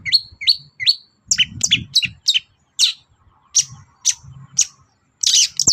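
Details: Long-tailed shrike morning song meant to draw answers from other birds: three quick upslurred whistles, then sharp scratchy notes and spaced high chips, ending in a harsh burst, over light low rumbling.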